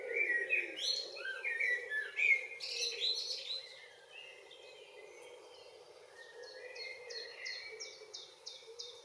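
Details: Common blackbird evening song on a June evening in northwest Zealand, Denmark: rich, fluted warbling phrases, then a run of high, thin twittering notes, over a low steady background hum.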